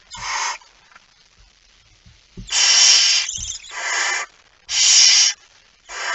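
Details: Barn owl, a male arriving with a mouse at night, 17 September 2019 at 23:55: harsh, hissing screeches of about half a second to a second, five bursts separated by short quiet gaps, with faint low thumps between.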